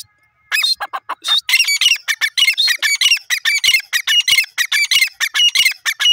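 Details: Francolins (teetar), a pair, in a fast, continuous run of harsh, rasping squawk notes, roughly one and a half per second. The run begins with several lower, softer notes and then builds into dense, strident bursts that fill the whole stretch.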